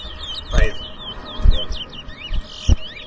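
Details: Chestnut-bellied seed finch, called towa towa, at a bird whistling competition in New Amsterdam, Guyana: a string of short downslurred whistles repeated about once a second, broken by sharp knocks and voices.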